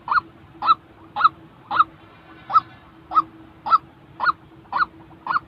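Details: Nasal honking calls of a white-breasted waterhen, used to train decoy birds for trapping, repeated in a steady rhythm of roughly two per second with a faint background drone.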